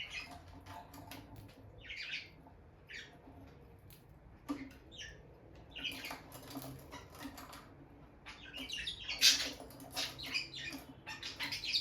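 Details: Bonded pair of peach-faced lovebirds near their nest box, the female going in and out. Short, scattered high chirps in bursts, with scratchy rustling and pattering of movement between them.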